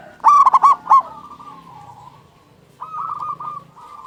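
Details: Zebra dove of local stock singing, a recording for coaxing quiet or stressed doves to sing. Four sharp, rapid coo notes come first, then a low, fading purr and a later, softer rolling coo phrase.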